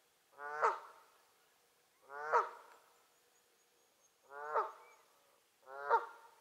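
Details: Canada goose at Lower Huia Dam, recorded 27 August 2018; four loud, nasal, harmonic honks spaced roughly one and a half to two seconds apart, each short and slightly rising, over a quiet background.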